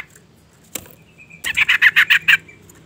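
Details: A female sooty-headed bulbul calls to provoke a male, giving one burst of about eight rapid harsh chattering notes after a faint thin whistle and a sharp click.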